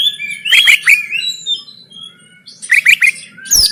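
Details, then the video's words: Fighting song of an oriental magpie-robin, 'konslet tarung' style, phone-recorded in Banten, Indonesia as training material: a loud burst of quick warbled notes, a pause, then three rapid chirps and a sharp final note. "KACER KONSLET TARUNG"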